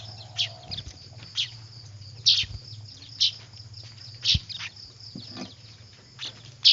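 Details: Weaver chicks calling noisily, used as a lure: spaced shrill chirps roughly once a second over a steady high whine and a low hum, with occasional soft knocks.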